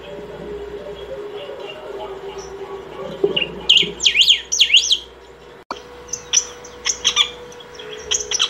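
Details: Saffron finch in continuous song meant for calling or training: a run of rapid looping, swooping high notes followed by a click and scattered sharp chirps, over a low background hum and murmur.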